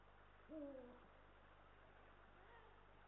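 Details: Eurasian eagle-owl, male and female at the nest, Estonia, 18 March 2022, live nest camera: one clear, gently descending harmonic call lasting about half a second, followed by a faint fainter call and steady low hum.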